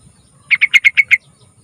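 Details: Sooty-headed bulbul singing as a lure for young birds: six rapid, rounded whistled notes in an even, bouncing series, close and clean with no other sounds.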